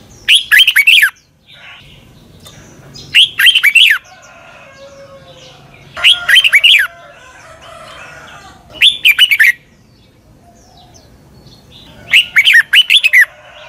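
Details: Red-whiskered bulbul from Thailand repeating its doubled song phrase five times, roughly every three seconds, each a quick cluster of loud rising-and-falling whistles; played so young birds can copy it, with soft background chatter.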